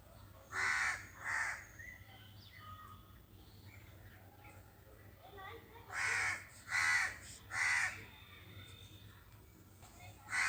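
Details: Crows cawing as nearby birds go silent: a pair of coarse caws, a long quiet gap with faint chirps, then a run of three caws and a final one at the end, over a low hum.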